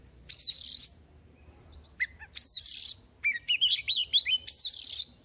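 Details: A young wild-caught Oriental magpie-robin singing in the morning to practise: varied phrases of sweet whistles and scratchy notes, rising and falling between about two and eight kilohertz, in short bursts.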